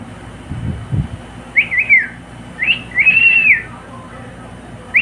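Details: Cockatiel singing a few whistled phrases, a warbling double note then a longer level whistle falling at the end, with a brief low rumble early on and constant background hiss.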